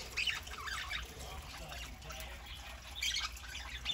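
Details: Pet budgerigars kept as a small indoor flock, foraging on a Saturday morning; soft scratchy warbling chatter comes in bursts near the start and again toward the end, over a steady low household hum.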